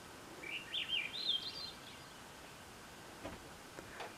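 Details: One of two Swainson's thrushes singing in woods at the end of June 2024: a soft, flute-like phrase of upward-spiraling whistled notes lasting over a second, followed by quiet background with a few faint clicks.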